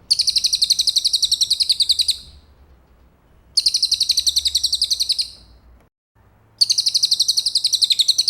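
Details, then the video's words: Cililin song used as tutor material for training a champion white-rumped shama: high, buzzy, rapidly pulsed trills about two seconds long, repeated after pauses of roughly one and a half seconds, with a faint low hum beneath. "isian cililin buat murai juara"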